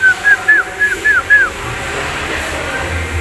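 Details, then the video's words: A Javan myna (jalak kebo) gives six quick, clear whistled notes, each sliding up then down, in about a second and a half, before a low rumbling background takes over. "Jalak Kebo Birds"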